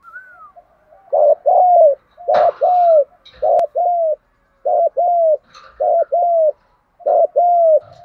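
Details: Vigorous 'thúc gù' cooing of a spotted dove, a style used to lure wild birds; about six paired low coos in steady succession, each a brief looped note then a longer bowed note, with faint clicks.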